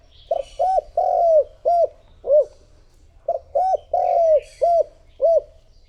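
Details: Spotted dove kept as a decoy to attract other doves. It gives two phrases of short arched coos, each with one longer drawn-out note, separated by a short pause. Faint higher chirps sound in the background.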